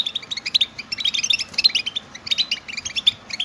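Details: Several European goldfinches in a stimulation recording of mating and readiness calls; lively liquid twittering, fast chirps in short phrases separated by tiny pauses.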